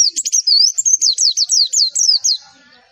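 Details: A Javan white-eye's energetic song, played to make other white-eyes respond: about a dozen bright, high notes in quick succession, mostly down-slurred whistles with a short warble, fading at the end.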